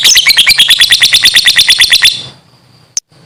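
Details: Lovebird singing its ngekek in the morning: a fast, metallic, evenly repeated chatter of around twenty pulses over two seconds, ending abruptly, then one sharp click and a faint lingering whine.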